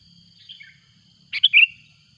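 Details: Sooty-headed bulbul calling loudly as a rival arrives, a lure recording: a soft falling chirp, then a quick burst of three bright, bubbly whistled notes, with a steady high hiss behind.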